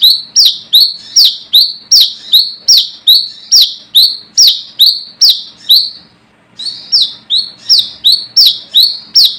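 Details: Rival-challenging call of a wild brown-throated sunbird, valued as a lure: a long run of shrill, falling chirps at about two and a half per second, broken by one short silence before resuming just as strongly.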